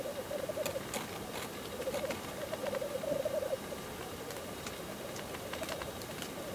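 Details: Black grouse at the lek giving bubbling display phrases in bursts during the first half, fading to quieter background later, with scattered clicks.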